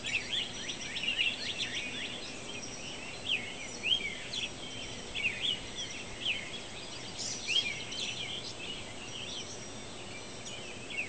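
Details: Birds chirping before sunrise on June 9, 2013, exceptionally loud that morning: many overlapping high chirps, trills and short whistled notes from several birds at once over a constant broad hiss.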